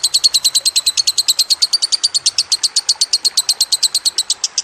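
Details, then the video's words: Lovebird masteran training song recorded with trickling water: a rapid, steady series of sharp high chirps, about seven to eight per second, running unbroken through the clip. "Masteran Lovebird Kusumo + Gemercik Air"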